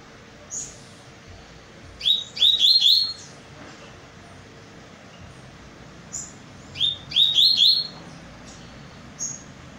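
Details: Double-collared seedeater singing: two bursts of quick, rising whistled notes, each a rapid series of four or five upslurs, about five seconds apart, over a steady hiss and low hum.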